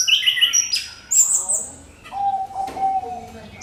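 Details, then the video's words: Orange-headed thrush lure song for stirring other birds to sing: quick high trills and a piercing whistle, a brief pause, then a lower, long, steady whistled note. "SUARA MENGKRISTAL ANIS KEMBANG PANCINGAN TIADA LAWAN"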